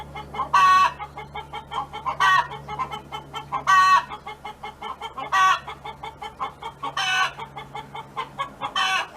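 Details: Hen song from a neighbour's farm: loud harsh squawking notes roughly every one and a half seconds, each separated by runs of quick, soft clucks, over a faint low hum.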